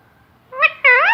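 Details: Talking parrot, said to say Allah Hoo and other words, producing one brief two-part spoken utterance, a short syllable then a longer voiced one with a slight dip in pitch.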